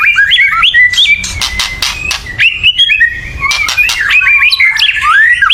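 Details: White-rumped shama in an agitated chattering bout meant to make other birds sing, mixing quick varied whistled notes and warbles with a few harsh rattling bursts.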